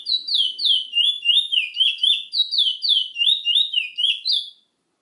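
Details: Chestnut-bellied seed finch, or Trinidad bullfinch, sings a continuous stream of high, falling whistled notes about three or four per second for over four seconds, ending abruptly in silence.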